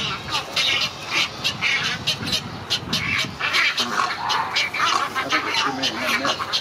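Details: At Gatorland on 15 April 2021, Great Egret chicks beg for food as a parent feeds them, giving harsh, rapid, clattering calls in dense bursts, several voices overlapping almost without pause.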